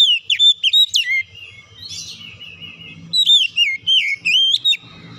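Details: Oriental magpie-robin singing on a lure track to make other birds sing: sliding whistles and chirps, a softer warbled stretch, then a rapid series of loud, looping whistled notes.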